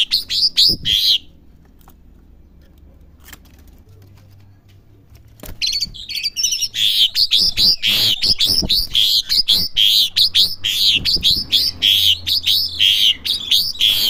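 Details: Juvenile Asian pied starling practising its song: a burst of squeaky chirps, a quiet pause of several seconds, then a long run of rapid, uneven chirps, whistles and clicks packed closely together.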